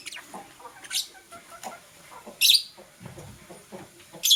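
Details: Pet lovebirds, one blue and one green, chirping in the morning: piercing short screechy calls spaced about every one to two seconds, with soft faint twittering between them.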